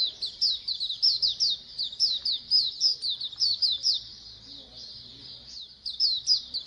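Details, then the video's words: Colony of Oriental white-eyes singing, played to get birds to open their beaks and sing: busy high-pitched chirping in quick overlapping phrases, easing briefly before another burst of twitters. "Pleci Koloni agar BUKPAR AGAR RAJIN BUNYI"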